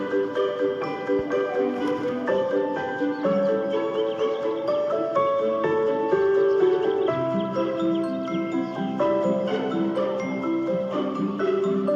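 Continuous mallet-percussion music with marimba- or glockenspiel-like notes throughout, and no animal sounds heard.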